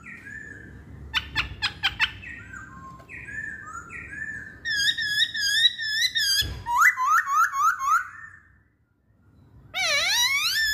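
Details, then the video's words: Chinese hwamei delivering a varied song: short slurred whistles and sharp chips, then a run of high bouncy notes, a series of quick rising whistles, a brief silence and a loud sweeping rising phrase. "Kicauan Poksay Hongkong"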